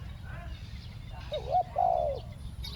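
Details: Spotted dove luring wild doves with a two-note 'ku-ang' coo: a couple of short looping coos followed by a long, slightly falling note, over a low rumbling background.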